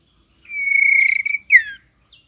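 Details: White-rumped shama coming into breeding condition and flicking its tail, in competitive singing: one long steady clear whistle held for about a second, broken into a rapid warble at the end, then a quick downslurred note and a faint short trill.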